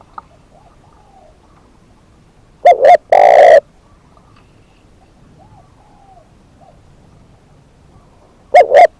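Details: Captive decoy spotted dove delivering a full coo phrase, two short notes then a long throaty coo, followed by quiet with soft distant cooing, and the start of another phrase at the end.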